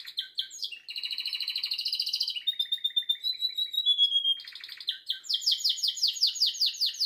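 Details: Canary singing a long, varied song: fast rattling trills and rolled tours change every second or two, shifting between buzzy low runs, a steady whistled note and rapid high repeated syllables, in a quiet indoor setting.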